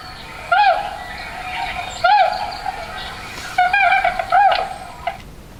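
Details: Tundra swan, which passes through Pennsylvania on migration but doesn't nest there, giving mellow, high hooting notes that rise and fall, four calls in about five seconds with the last two close together, over steady background hiss.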